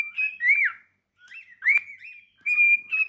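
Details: Cockatiel song practice: an arched slurred whistle, a pause, then a sharp rising whistle and a long steady high note ending the phrase.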